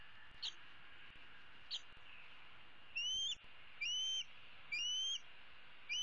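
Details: Bald eagle eaglet, the older female of 2016, sitting in a tree on 15 April 2016 and calling her parents for food; two brief chips, then a run of four high whistled squeals about once a second.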